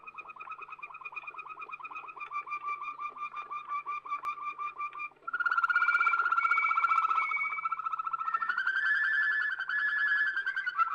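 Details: Belgian Waterslager canary from an old recording: soft pulsing trill that gradually rises, a brief pause, then a loud bright bubbling roll with overlaid higher warbles climbing toward the end.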